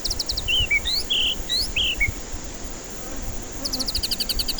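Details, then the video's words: White-rumped shama song used as a lure for stressed birds reluctant to sing: a few short whistled and slurred notes, then a fast run of high, clipped notes near the end, over a steady high-pitched insect-like hiss. "Pancingan murai batu ampuh cocok untuk pancingan murai batu stres malas bunyi"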